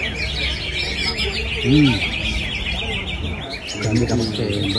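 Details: Prize-winning greater green leafbird singing at a 2023 songbird contest, continuous high, busy chattering and twittering throughout, with other birds around and men's voices talking in the background.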